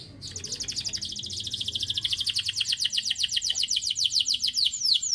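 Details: Canary song meant to stimulate other canaries to sing: a long, accelerating trill of bright, high notes repeated about four per second, ending in a few descending slurs.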